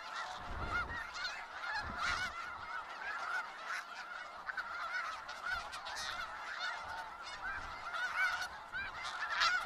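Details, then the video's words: Snow geese massed in Skagit Valley, a steady roar of overlapping honks and barking yelps, with low rumbling bursts in the first two seconds. "Sounds of Snow Geese"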